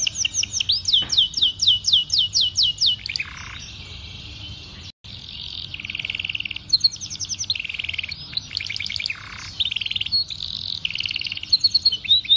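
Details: Canary song meant to train young canaries to sing quickly, special phrasing: a run of evenly repeated down-slurred whistles, then long buzzy trills alternating with rapid rolled chirps, a short gap midway.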